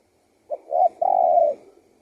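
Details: Spotted dove singing: three low, mellow cooing notes, a short opening coo, then a slightly rising second note, and finally a long, drawn-out steady coo of about half a second, with a quiet background.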